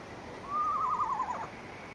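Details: A winter Eastern Screech-Owl, calling while still light, gives a single whistled note, about one second, starting steady then breaking into a quavering, slightly falling whinny over a faint hiss.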